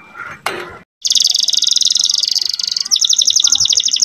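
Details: Canary song played to bring female canaries into breeding mood: after a short noisy burst and a pause, a loud continuous rattling trill runs about three seconds, changing pace midway.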